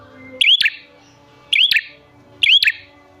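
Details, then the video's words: Calling prinia used as a lure: three loud bursts of sharp clicks and a quick upward whistle, spaced about a second apart, over quiet hum. "Pancingan Prenjak Gacor Jamin Prenjak Malas Bunyi Langsung Nyahut"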